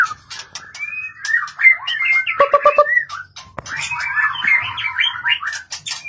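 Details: A caged white-rumped shama sings a rich, varied stream of whistled and warbled phrases, some sliding and some harsh, delivered rapidly with brief pauses, in competitive singing. Sharp clicks and faint background noise are also heard.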